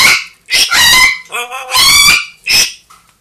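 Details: Pet parrots, a two-year-old grey parrot and a one-year-old Amazon, kept at home. Loud, harsh, raspy screams burst out in four or five long rough blasts with short gaps, then a brief softer note at the end.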